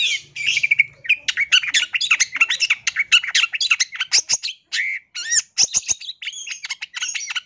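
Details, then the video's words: Fast, busy song of a long-tailed shrike, recorded as a training master for songbirds: crowded scratchy chatter and mimicked-sounding whistles, pouring out almost without breaks, with a few clicks near the end. "MASTERAN CENDET GACOR FULL ISIAN"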